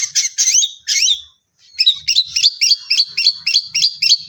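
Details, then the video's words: Champion contest long-tailed shrike, captive, delivering mimicked 'tembakan' variations meant to provoke rival birds: three harsh squawking notes, a brief pause, then a rapid run of about eleven sharp, evenly repeated chirps. "Cendet Gacor Full Isian Variasi Suara Tembakan, Pancingan Burung Pentet Bahan Stres Macet Agar Bunyi"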